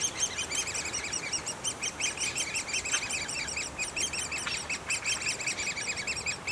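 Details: From a nest of great spotted woodpeckers comes an insistent, fast chattering of high squeaky notes, running on without pause for several seconds.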